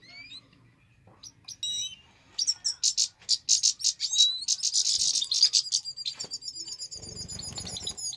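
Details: Trained European goldfinch singing during pairing, starting with a few sparse, thin rising notes, then breaking into a loud run of rapid twitters and buzzy trills; faint low rumble near the end.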